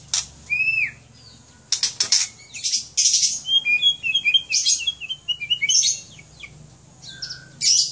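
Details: Pet White-rumped shama from Aceh, Indonesia: sharp clicking bursts and a slurred whistle, then a quick run of short, high, stepping whistled notes, with a steady low hum in the background.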